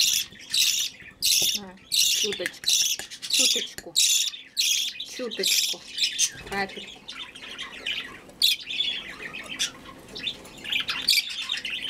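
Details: A hungry budgerigar chick being hand-fed gives harsh, raspy begging squawks in quick bursts, about one or two a second, with a woman speaking softly nearby.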